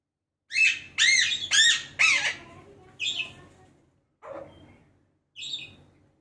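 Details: Pet Alexandrine parakeet giving seven loud, harsh, arching squawks: four in quick succession during the first two seconds, then three more spaced about a second apart, each fading with a ringing tail in a quiet room.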